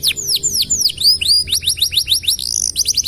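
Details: A canary used to train other birds sings quick falling whistled slurs, several per second, shifting into tighter rapid notes, loud and clear.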